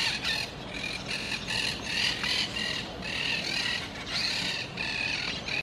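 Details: Monk parakeets in raspy, scratchy squawk bursts, each a fraction of a second, following one another with brief pauses over constant background hiss.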